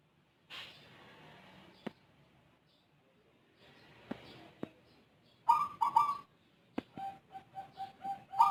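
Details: Zebra dove of the Rondosemoyo type, kept bird with an unusual voice that calls often and long, giving a short run of coos near the end: two sharp notes, then a string of even, repeated soft notes, with clicks earlier.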